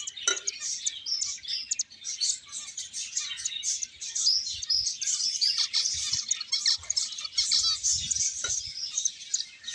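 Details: Finches keep up a lively, unbroken chatter of high, sharp chirps and short trills, many birds calling at once, with a faint click or two.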